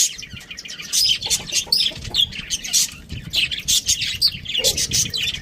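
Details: Dense budgie chatter of sharp, high chirps and twittering notes, repeated in quick clusters, with a faint lower note near the end.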